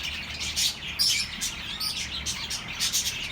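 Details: Flock of pet birds chirping for the comfort of lonely birds: bright, high tweets and short squeaky notes in quick overlapping bursts, one clear whistle standing out near the start.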